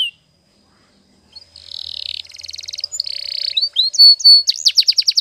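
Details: Canary singing a training song for other canaries: after a quiet start, a long buzzy rattling roll, then a pulsed trill, a steady chattering roll and rapid rising whistled notes near the end.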